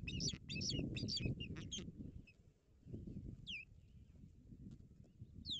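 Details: Ospreys at a nest in Barlinek Forest on 17 April 2022, during another visit by an intruding osprey: a rapid burst of high, sharp chirps over the first two seconds, then a few downslurred whistled notes, with low rumbling wind noise.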